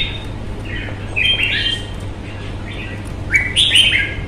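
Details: Red-whiskered bulbul, a bird kept for its fine voice and fighting temperament, in Vietnam: short warbled whistled phrases that rise and fall, spaced about a second apart, ending in a louder bright flourish, over a low steady hum.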